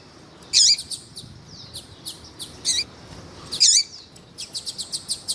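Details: Double-collared seedeater, female calling to excite males; loud harsh bursts roughly every three seconds with a curved lower tone, soft chips between and a quick run of ticks at the close.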